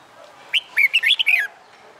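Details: Caged red-whiskered bulbul, a wild-caught bird finding its voice after a month in a new hand cage and being trained for fighting song. It gives one quick whistled phrase of about six rising and falling notes lasting roughly a second, with quiet background.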